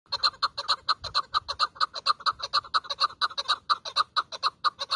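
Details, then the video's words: Hunting chukar partridge calling with a steady run of rapid, evenly spaced clucking notes, about two per second, with a faint low rumble behind. "shekari chakor ki awaz | Shekari chakor voice | Chakor voice | Desi shekari chakor voice."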